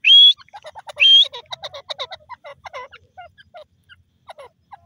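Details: Grey francolin: two loud, high whistled notes about a second apart, followed by a trail of quick, fading, stuttering pulses.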